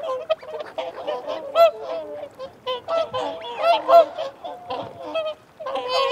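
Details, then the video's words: Whooper swans giving feeding and territorial calls, a dense chorus of overlapping bugling honks with rich harmonics, irregular and bursting in loud clusters, with wigeon and mute swans also present and thin rising whistles above. "Whooper Swan. Feeding Calls & Territorial Calls"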